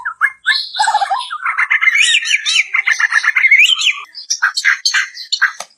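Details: Rapid, rich warbling by a white-crowned shama, a song variation for tutoring other birds. Quick zigzag whistled notes pour out continuously, ending in scattered high chips.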